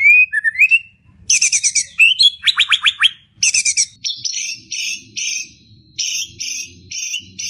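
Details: White-rumped shama in full isian style, a song of borrowed sounds. Slurred whistles lead into harsh buzzy bursts and rapid downward-sweeping chips, followed by a series of evenly spaced scratchy notes repeated about twice per second.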